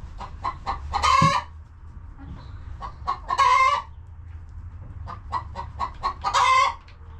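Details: Homestead hens in their coop: quick series of short clucks leading into loud, harsh, drawn-out squawks, three in all about two and a half seconds apart, over low rumbling background.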